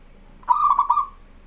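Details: Zebra dove of a local strain singing actively, recorded as a tutor for young birds: a single mellow coo opening with three rapid throbbing pulses that run into a smooth sustained note and gently trail away.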